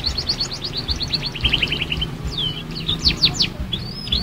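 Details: Young canary learning to sing: a quick trill of short notes, then varied whistled sweeps and a few loud sharp chirps, over steady low background noise.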